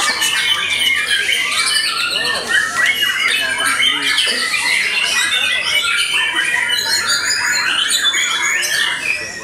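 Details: White-rumped shama after moulting, singing hard and without pause: varied whistles, fast chatters and high sweeping notes, growing slightly thinner toward the end.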